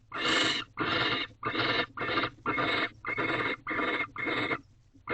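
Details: Barn owls in a nest box at 6:11 am on 19 March 2023, as the male tries to interest the female in a new rodent; a run of rough, hissing screeches, about eight in five seconds, with steady low hum beneath.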